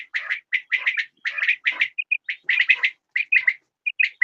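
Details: Quail giving quick runs of harsh, chirping notes in tight groups, broken by short pure whistled pips, with the groups coming steadily for about four seconds.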